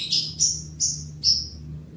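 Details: Lovebird mating call aimed at its male partner: four short, high chirps with bright, slightly falling tones, spaced about every 0.4 seconds, over a faint low hum.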